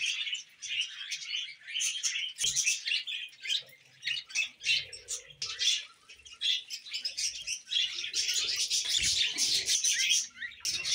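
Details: Pet budgies chattering with scratchy squawks and chirps, a short pause just after two seconds, then a louder, denser warble building toward the end.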